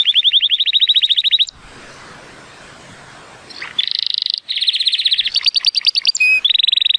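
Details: Timbrado Español canary, a male born in 2018 and scored 83 points, on a sunny day: a high rapid trill, a pause of soft noise, then quick bright rattling tours and a short whistled note.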